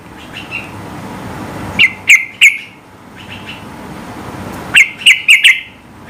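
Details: Sooty-headed bulbul singing high to goad rivals into answering: a group of three sharp, bright chirps, a quiet gap, then four rapid bubbly notes near the end.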